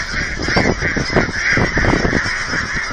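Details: Crowded geese at an aquatic center in Hereford, Texas honk nonstop while being fed, a thick, buzzy chorus of overlapping nasal calls.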